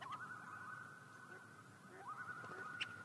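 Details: A common loon recorded in Yellowstone National Park gives long, steady, mournful notes: one held for nearly two seconds, then a second that slides up and holds. Quiet background.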